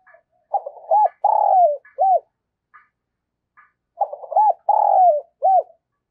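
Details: Spotted dove decoy call for luring wild doves: two phrases about three seconds apart. Each has short arched coos around a longer, drawn-out falling coo, with faint soft notes between phrases.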